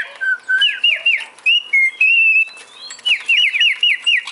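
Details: Male cockatiel whistles a low note first, then a lilting series of fast, repeated up-and-down whistled notes, with a pause midway.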